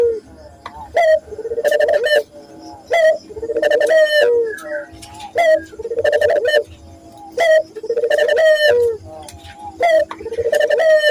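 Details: Cooing Barbary dove from a lure recording for training local doves. Soft, steady coo phrases about every two seconds, each opening sharply and trailing into a low rolling note. A faint constant hum sits underneath.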